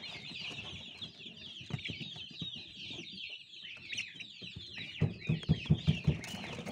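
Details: Baby chicks keep up steady, high-pitched peeping, thin chirps overlapping densely throughout, while a run of low, rhythmic thuds or clucks comes in near the end.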